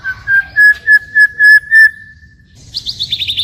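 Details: Song of a white-rumped shama, forest-style with changing voice: seven clear, even whistled notes on one pitch, repeated about every quarter second, then a quick high buzzy trill after a short pause.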